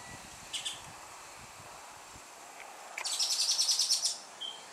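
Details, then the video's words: Carib grackle singing at dusk in Martinique: a few thin squeaks, then a fast, high, rattling run of about a dozen notes, ending in a short whistle, quiet background. "chant du merle noir au crépuscule"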